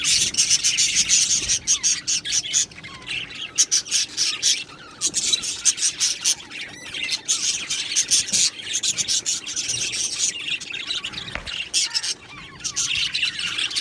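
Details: Colony of Australian budgies in an aviary, continuous high-pitched twittering and squawky chirps from many birds at once, with a few brief quieter lulls between busy bursts.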